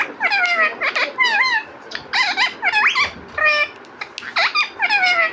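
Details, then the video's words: Talking pet parrot producing a rapid series of squawky, speech-like phrases with bending, wavering pitch, in short bursts separated by brief pauses, recorded indoors in a quiet room. "Talking Parrot 🦜 | Cute Parrot Talking Video"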